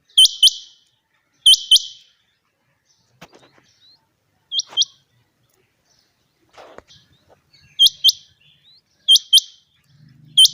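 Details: Female quail (madi batair) calling: sharp, high, paired notes given in quick doublets, each pair separated by pauses of about one to three seconds. A few faint clicks and rustles sound between the pairs, and a low hum comes near the end.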